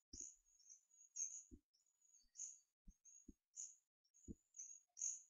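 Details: Twelve-day-old hawfinch chicks, two siblings being hand-fed on 4 May 2014, beg for food with very high, thin, hissing calls, about two each second, between soft low thumps of handling.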